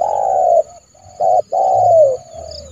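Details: Trained decoy spotted dove calling a rival into the yard to be trapped: loud hollow coos, a long falling note, a short clipped note, then another long gliding coo.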